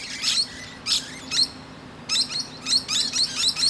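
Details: Musk lorikeet sitting peacefully on a branch, chatting to other birds: piercing high chirps with a thin upward twist, given in quick pairs and clusters, over a faint low hum.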